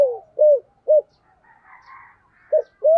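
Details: Spotted dove used as a decoy to lure wild doves, singing in the thổ voice style during daily training; short rounded coos, three early and two late, with a quiet gap of soft murmuring notes between.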